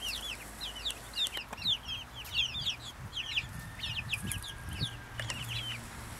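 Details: Overlapping bursts of high, falling peeps come from a small group of Brahma chickens, broken by a few sharp clicks or taps, over a soft low rumble.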